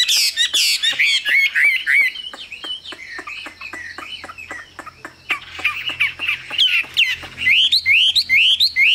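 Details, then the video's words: Chinese hwamei singing a long, varied run of loud whistled phrases, rising and falling slurs and quick repeated notes, with short pauses between bursts and no other clear sounds. "Họa mi siêu phẩm, người dai miên man"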